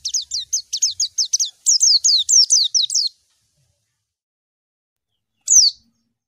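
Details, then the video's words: A white-eye calling a rival gives a fast run of high, thin, down-slurred notes for three seconds, then one more after a pause. "suara burung PLECI MANGGIL LAWAN"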